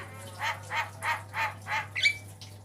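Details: Javan myna with white eyes in a varied master song for training caged birds: five rhythmic husky notes about three per second, then a bright rising whistle, over a faint constant hum.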